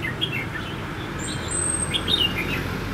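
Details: Red-whiskered bulbul giving fighting song as a decoy in a trapping session on the first day of Tet 2016: scattered short whistled, warbling notes, some rising and falling, over a steady low rumble of background noise.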